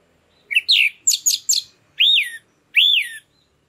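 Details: Lure song of a captive orange-headed thrush in loud, continuous gacor ngeplong style for stimulating breeding condition: buzzy notes, three rapid descending chips, then two loud arched whistles that rise and fall.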